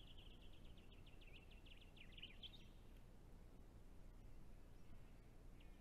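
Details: A painted honeyeater at a pond on a Victoria property in October, possibly breeding there, gives a quick run of high, down-slurred notes, about eight a second, for nearly three seconds, then one lone note, over low wind rumble.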